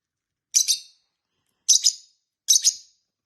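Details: Tame pet lovebirds, a peach-faced lovebird and a hybrid lovebird, chatting together: three sharp, harsh double chirps, high and buzzy, spaced about a second apart against a quiet background.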